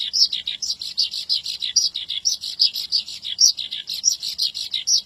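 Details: Energetic Javan bush lark song: dense run of clipped high chirps, each note sliding down, broken by occasional brighter upward-flicked notes, delivered steadily without breaks.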